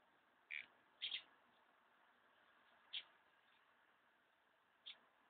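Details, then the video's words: Numerous house martins gathering, ready to leave their nesting places; four short, bright chirping calls at irregular intervals over about five seconds, against a quiet, steady background hiss. "House Martins preparing for the off."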